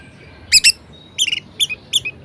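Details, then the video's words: Short, squeaky double notes from an orange-headed thrush singing in variations to prompt idle thrushes to sing, given in four brief clusters over about two seconds. "Anis Merah Gacor Variasi Bangkitkan Emosi Anis Malas Bunyi Agar Rajin Berkicau"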